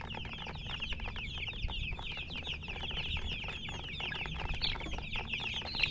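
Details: A crowd of baby chickens cheeping continuously, shrill overlapping peeps with a few louder calls near the end, over a low hum.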